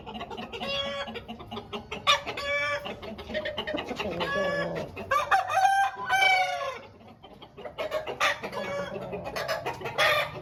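Aseel roosters give hoarse, drawn-out crows that rise and fall, overlapping with short clucks from other fowl nearby.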